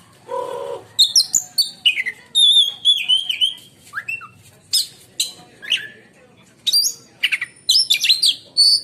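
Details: Oriental magpie-robin, a kept contest bird in Indonesia, singing a long, piercing song likened to a lightning strike: sharp whistled notes, rapid buzzy bursts and high trills in short phrases, a brief low murmur at the start.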